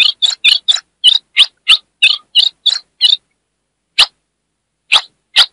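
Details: Female ultramarine grosbeak from northeastern Brazil, chattering to stimulate a male: a quick run of about a dozen rasping chips, then a pause and three spaced harsh notes. No other sounds.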